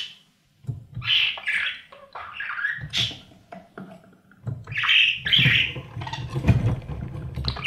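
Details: Baby budgies being fed by parents in a nest box, recorded from inside. Scattered harsh chirps give way to louder raspy squawking bursts, with thuds and rustling from movement in the box.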